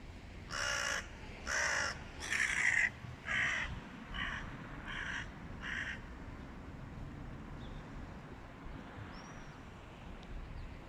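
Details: A stray cat faced by a flock of Hooded crows: a series of seven harsh caws roughly one per second, fading in loudness, then quieter background with a faint high squeak.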